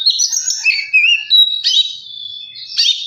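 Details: Magpie-robin singing, played to provoke another bird into song and excitement; bright whistles and rolling trills, then a long thin steady whistle before a final burst of chattering notes.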